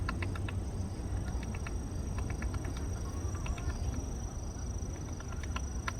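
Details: A woodpecker pecks a hole in a tree in a park while foraging for larvae, producing scattered sharp ticks in small groups against a loud, continuous low rumble.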